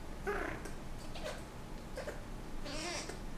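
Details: Senegal parrot kept as a pet, wooing its owner's hand during breeding season, gives a run of soft nasal whines and squeaky murmurs. A brief bright wheeze follows near the end, all indoors against low room hum.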